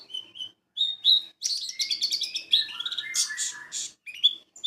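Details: White-eye singing as a lure to provoke rivals into bukpar, ngalas and wiksar singing: a few short clear whistles, then a loud burst of fast chattering and sliding notes, ending in scattered chirps.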